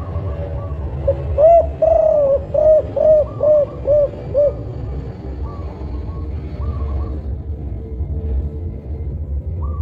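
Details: Big-voiced Songgo Ratu spotted dove of the five-note 'kuk 5' type, used as a lure bird: a rapid run of low mellow coos, one lengthened then shorter repeated notes, followed by steady low rumbling background noise.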